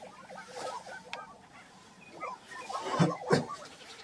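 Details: Lesser prairie-chickens at a lek on Hoeme Ranch, Kansas, 22 April 2023: a busy chorus of short, choppy, bubbling notes, interrupted near the end by two sharp, loud bursts.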